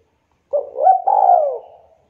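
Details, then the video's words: Local Javanese spotted dove, a lively singer whose voice is used to prompt reluctant doves to sing, giving one clear cooing phrase: a short lead-in note, then a long mellow, slightly wavering coo that slides downward and fades, in silence. "derkuku lokal jawa super gacor suara merdu tajam"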